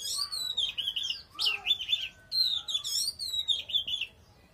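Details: Strong singing from an Oriental magpie-robin: loud, rich whistled phrases that twist and wobble, delivered in three long bursts with short gaps between them.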